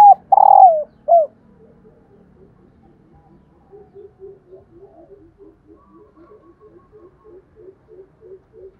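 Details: Female spotted dove calling to trigger cooing in captive males: one loud throbbing falling coo opens, followed by a long even series of faint, soft pulsed notes, about two per second.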